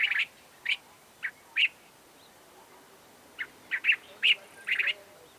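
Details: Cape bulbul call variation from Southern Africa: short, bright chirpy notes in two loose bursts, about ten calls spaced under a second apart, over a quiet background.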